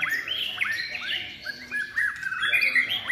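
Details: White-rumped shama trained for singing contests, third-season bird in contest-ready song, performing showily: varied whistled phrases with rising and falling slurs, quick chirps and trills, phrases close together.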